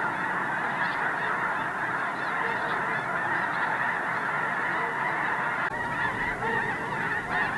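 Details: Concentrated geese on the iced-over Squaw Creek National Wildlife Refuge, Mound City, Missouri, awake at overcast dawn before flying to nearby fields; sustained, dense honking from the whole flock, slightly surging midway.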